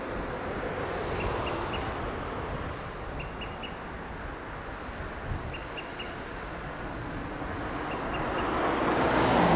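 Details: Olive-sided flycatchers perched in Monterey pines in Del Monte Forest, California, calling to each other: faint, high pip-pip-pip triplets about every two seconds over a steady low rumble of traffic.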